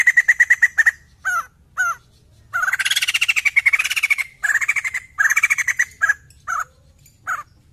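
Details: White-crested laughingthrush singing actively, used to prompt other birds into song: loud rapid chattering bursts of repeated notes, some brief and clipped, others long rolling laughing runs rising and falling, separated by short pauses.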